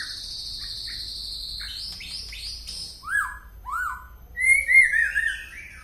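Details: White-rumped shama from Penaron, East Aceh, with an unusual song: a sustained high whistle, then quick upward-sweeping notes, two slurred arching whistles and a final loud warbled flourish.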